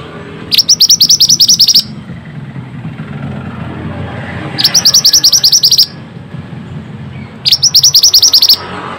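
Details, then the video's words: Pied bushchat (mantenan) singing eagerly, recorded to coax lazy birds into song: three similar bursts of rapid, high chipping notes, each about a second long, spaced roughly three seconds apart over a low hum. "Pancingan burung Mantenan gacor ll Cocok untuk burung mantenan malas bunyi"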